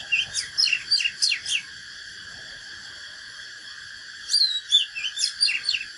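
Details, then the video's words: Oriental magpie-robin singing a fighting song: a phrase of rapid whistled and down-slurred notes, then silence apart from a steady high hum, then another varied whistled phrase. "KÍCH LỬA chòe than || Chích chòe than HÓT ĐẤU CHIM TỰ NHIÊN"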